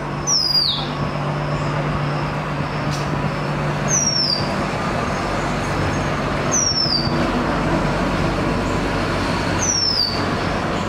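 An Oriental magpie-robin gives a clear, high, falling whistle four times, every three seconds or so, over steady rumbling road traffic.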